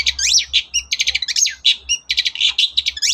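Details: Long-tailed shrike singing in the morning as a lure for other shrikes: dense, fast medley of chattering, trilled and slurred notes with varied mimic-like phrases, almost without pause, over a low steady hum.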